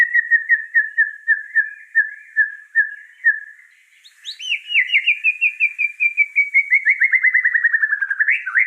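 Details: Vigorously singing white-rumped shama, called gacor, gives a steady series of short, evenly spaced whistles, pauses, then a sharp upslur into a rapid rattling run of notes that gradually descends and ends with a twist.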